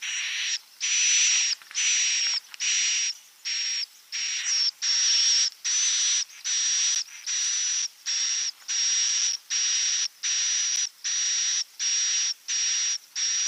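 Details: Repeated buzzy swiftlet calls used to lure edible-nest swiftlets into nesting: steady, hissing notes of under a second, separated by short gaps in a long, regular run.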